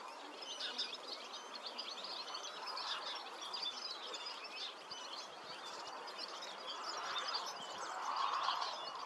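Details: European serin song: a continuous, very high, rapid jingling of scratchy, sibilant notes pouring out without pause for about nine seconds, over faint steady background noise.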